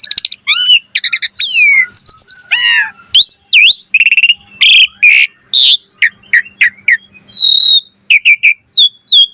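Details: Lively 'gacor mompa' song of an Asian pied starling, full of variation: dense runs of sharp whistles, upslurred and downslurred notes, and crackling rattles in quick succession, ending in short high whistled phrases.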